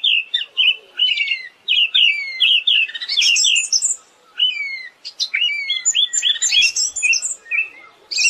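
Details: Siberian thrush song used as a training track for captive birds: a fast, continuous run of clear whistled phrases and rising and falling notes, mostly high-pitched, with short sharp chirps and brief pauses between bursts.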